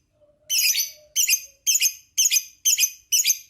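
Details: Lovebird in a training (masteran) recording of the long 'ngekek' trill style: six shrill, harsh chattering bursts, each about half a second, coming roughly twice per second, with a faint low steady tone before the first burst.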